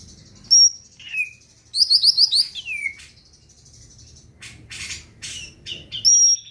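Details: Greater green leafbird singing energetically to provoke other birds to sing: sharp high whistles, a rapid run of five bright slurred notes dropping into a downward swoop, then scratchy bursts and renewed piercing whistles.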